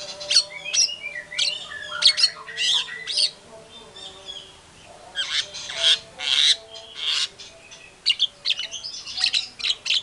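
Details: A singing white-rumped shama (murai batu) used as a lure to make other shamas answer angrily; bursts of loud whistled and harsh chattering phrases separated by short quieter gaps, a low hum audible throughout.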